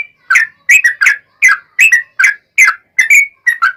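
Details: Yellow-vented bulbul singing to lure other bulbuls into calling back; clear, liquid whistled notes, often in quick pairs, bouncing between rising and falling slurs about twice a second.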